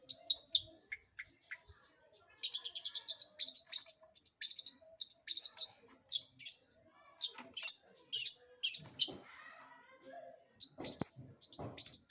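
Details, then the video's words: A long-tailed shrike sings actively, as a lure to make other birds sing. It varies short chirps and buzzy trills with sharp, slurred whistles in bursts, separated by brief pauses, in a quiet setting. "PANCINGAN CENDET GACOR"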